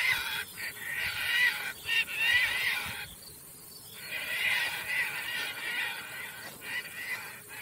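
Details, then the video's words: Caspian terns (Hydroprogne caspia) in flight give harsh, rasping, heron-like croaks in rough overlapping bursts, break for about a second, then start again, over a soft outdoor hiss. "Caspian tern birds call sound"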